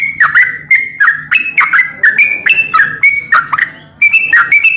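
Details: Greater green leafbird, a kept master tutor bird in lively voice, delivering rapid clicks joined to clear whistled notes that jump between pitches, in an unbroken run apart from one short pause near the end.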